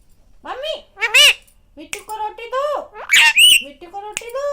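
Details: A pet rose-ringed (Indian ringneck) parakeet talks in a high, scratchy, human-like voice, rattling off a quick phrase of several syllables over about four seconds in Hindi, asking for food and saying it is hungry.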